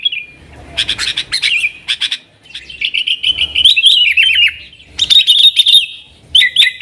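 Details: Lure song of a sooty-headed bulbul in the nggaruda style for attracting wild bulbuls: bursts of sharp chips alternate with rich, wavering whistled phrases, separated by brief pauses.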